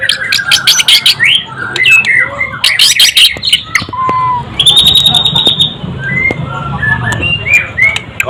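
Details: White-rumped shama song mixing harsh rasping bursts, a steady buzzy trill lasting over a second, and scattered clear whistles rising and falling, faint human voices in the background.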